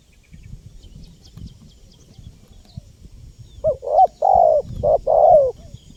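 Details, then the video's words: Spotted dove calling, a recording meant to lure wild birds: low rumbling background for several seconds, then one burst of hollow coos, short notes alternating with drawn-out, falling ones. "SUARA LANGKA BURUNG TEKUKUR GACOR PALING AMPUH 2024 UNTUK PIKAT BURUNG LIAR"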